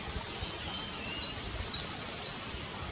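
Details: Himalayan Cutia building a nest, giving a run of high, thin, rapid chirps in quick series over about two seconds, with light background noise.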